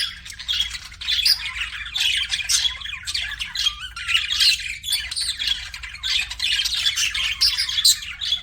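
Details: Chattering pet budgerigars: rapid, raspy warbles mixed with squawks and high squeaks, the flock noise steady and unbroken across the recording.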